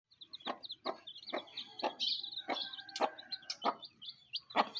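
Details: Mother hen calling her chicks to eat: short low clucks repeated roughly every half second, with thin, high chick peeps chirping steadily over them.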